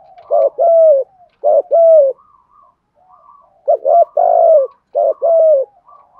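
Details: Spotted dove giving the 'thổ thúc gù' coo to excite other doves: paired phrases of a short note and a longer bending coo, about five times, with soft quiet notes between.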